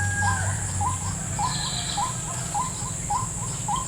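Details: White-breasted waterhen coming to a lure at a snare set in a salak orchard: repeated clipped, rising whistled notes, about two to three each second, with a constant shrill high hum and low background rumble.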